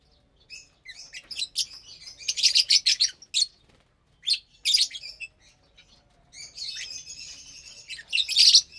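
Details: Lovebirds having their morning meal together on a Saturday, eating vegetables and a seed mix: bursts of rapid high chattering chirps in clusters, a short pause, then a scratchy buzzing chatter ending in sharp squeaks.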